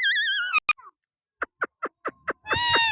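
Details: Pakistani green parrot held on a hand opens with a quavering whistled wail, then gives a series of short dry clicks before a final buzzy warbled call.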